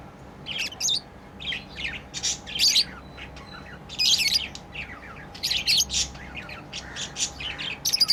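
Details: Lovebirds at play giving bursts of shrill, squeaky chirps, clusters of rapid high notes separated by brief pauses, over a faint steady background hum.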